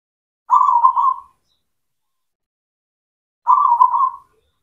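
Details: Local zebra dove of the cemani type, singing as a lure for mute doves: two identical soft, rolling coo phrases about three seconds apart, each made of quick pulses.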